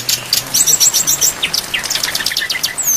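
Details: Brown-chested jungle flycatcher in a long training recording for songbirds, packed with varied phrases over rain: quick high chirps, short whistled slurs and clicky notes crowd together, with a rising whistle near the end.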